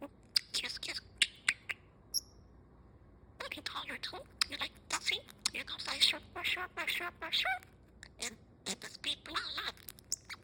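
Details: Kosmos, an 8-month-old male budgerigar that talks in English, chatters in rapid, high, buzzy mimicked speech broken by sharp chirps.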